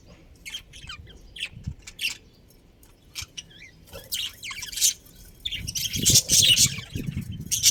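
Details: Budgerigar breeding pair in a colony, chirping with scattered high squeaks and warbling chatter. The calls grow busier and louder toward the end, over a low rumbling background noise.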